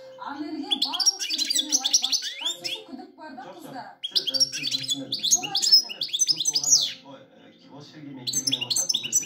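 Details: Goldfinch singing a lively, dense song of rapid high twittering chirps, buzzy trills and quick rising and falling notes, in bursts with a short pause near the middle, over a faint low steady hum.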